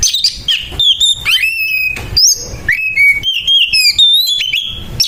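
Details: Aggressive fighting song of an Oriental magpie-robin, meant to rile other magpie-robins: sharp clipped notes mixed with clear whistles that swoop upward and hold steady, delivered in quick bursts with short gaps.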